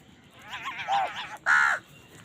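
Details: While eating, a house crow gives a wavering, gargling run of notes followed by one loud, flat, harsh caw, with competition for food going on.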